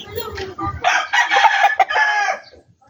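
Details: Rooster from a backyard poultry flock crowing: soft low clucks first, then a loud, hoarse crow in several connected segments lasting about a second and a half before fading out.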